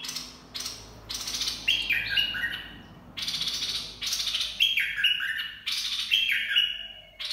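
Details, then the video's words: Bulbul song played for training young birds and luring birds: short clear whistled phrases that step downward, alternating with loud, harsh, rasping buzzy bursts that recur roughly every second. "เสียงนกกรงดอกแตง เพลงน่าฝึกหัดลูกนก ล่อนกหัยคัก"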